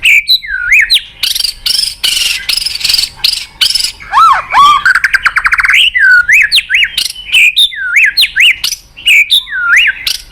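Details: Murai batu, the white-rumped shama, in a lure song meant to make a quiet bird sing: harsh buzzy bursts, a rapid rattling trill, then repeated looping whistled notes.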